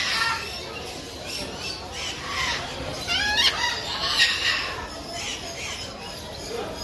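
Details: Burrowing parrots, also called Patagonian conures, at what is described as the world's largest parrot colony: a dense overlapping chorus of harsh, raspy squawks, with several louder screeches in the middle, over a steady hissing background.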